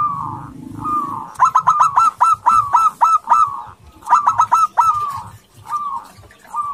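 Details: Aggressive local zebra dove, a male courting a female and used as a lure, giving soft low coos followed by a rapid run of short staccato notes. The phrase is repeated twice, with softer coos between the phrases.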